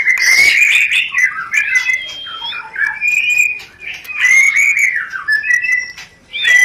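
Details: White-rumped shama song in rencetan style, aimed at firing breeding desire so birds mate quickly: rich whistled phrases, slurs and ticks repeated in quick bursts with short gaps.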